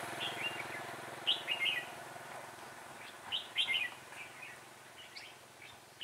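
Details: Caged red-whiskered bulbul serving as a trapping decoy, 6/12/2016, with a quick-delivered voice: bright, bubbly warbled phrases in bursts, loudest around the middle, against faint low rumbling noise.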